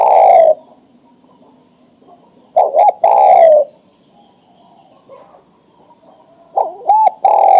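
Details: Adult male spotted dove, ready to breed, calls a female with a long coo, then two phrases of quick double coos running into a sustained coo, with quiet pauses between.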